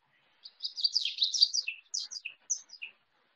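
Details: A common yellowthroat, a marsh-loving warbler of cattails, recorded behind a house backing onto a small marsh in nesting season, sings a quick, high, rolling wichity-wichity-witchy phrase of repeated three-note groups, each dropping lower, in quiet background.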